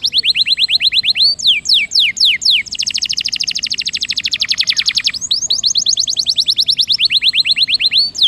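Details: Canary song to encourage a lazy bird to roll: slow sweeping downslurred notes give way to a very fast buzzy trill, then back to sweeping notes.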